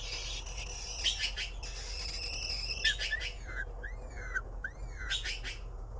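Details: Blue magpie; begging calls; nestlings begging for food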